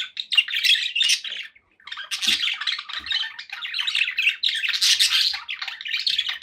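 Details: Pet budgerigars warble nonstop, a loud mix of buzzy chatter, squeaks and short squawks with only one brief pause, plus faint low knocks.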